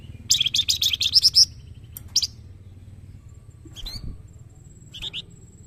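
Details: Young Flamboyan in full song, used as training material for other birds: a burst of rapid, high, scratchy chirps for about a second, then brief isolated chips over faint background noise.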